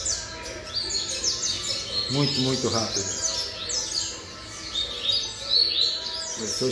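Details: Rapid high seedeater song from a seven-month-old double-collared seedeater, dense slurred whistles throughout, while a man speaks briefly in the middle.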